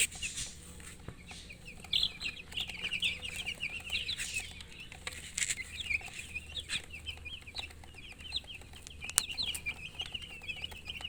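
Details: Flock of baby chickens peeping continuously: rapid, high, slurred chirps overlapping into a steady chorus, with occasional clicks and knocks.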